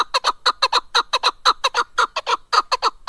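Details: Chukar partridge, called keklik, giving a loud run of harsh chuck notes, about two per second, each a broad burst with a bright band near one kilohertz, in a fairly steady but uneven rhythm.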